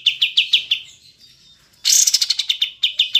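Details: Olive-winged bulbul, locally kapas tembak, clearly recorded: several quick sharp notes, a soft pause, then a loud harsh buzzy burst flowing into more rapid chattering notes.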